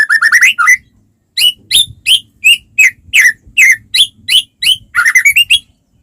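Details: White-rumped shama song used as a lure to get other shamas singing: rapid rising whistled notes at first, then a steady series of sharp downslurred whistles about three per second, ending in a quick trill.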